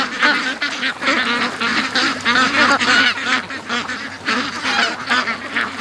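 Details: A flock of ducks rushing out of their pen to the creek one morning after being held an extra hour. Dense overlapping nasal quacks and honking calls tumble over each other nearly three times a second, with no pauses.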